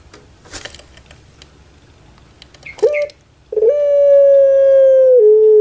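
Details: Anggungan of a puter pelung dove kept by its owner: faint rustles, a short clipped note, then a loud, smooth, sustained tone held nearly two seconds before dropping slightly lower at the close.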